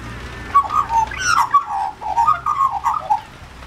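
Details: Wet Australian magpie in the rain, one of a visiting pair asking for food, gives a rich, warbling chortle of gurgled whistled notes rising and falling in a continuous run, with rain noise in the background.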